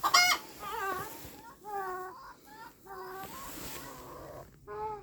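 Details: Chicken making a loud harsh squawk at the start, then a series of nasal, wavering honk-like calls repeated every second or so, with a steady background hiss.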